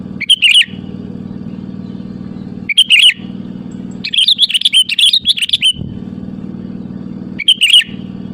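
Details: Sooty-headed bulbul calling out to rivals as a lure: brief fluty phrases every two to three seconds, broken midway by a longer burst of rapid chattering warbles, with a low steady hum behind.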